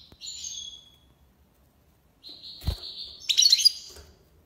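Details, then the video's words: European goldfinch tiwawati song: a buzzy trilled phrase, a pause, then a sustained nasal trill that swells into a loud, jangling twittering flourish; a low knock is heard in the middle. "مقنين(حسون) تيواواطي ليباساد"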